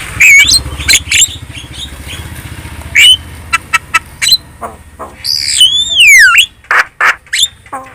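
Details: Javan myna (jalak kebo) giving a chatty lure song to prompt other birds to reply: scattered sharp chips and squawks, short rising whistles, and a long loud slurred whistle that dips and rises near the end.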